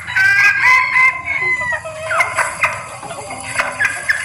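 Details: Lure recording of a female red junglefowl in heat calling males: a drawn-out tonal call with repeated rising and falling notes, then a series of quick sharp clucking bursts over steady background hiss.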